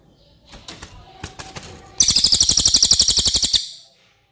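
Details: Cililin song for tutoring contest birds: several sharp clicks and rustles, then a bright, rapid trill of quickly repeated high notes for about one and a half seconds.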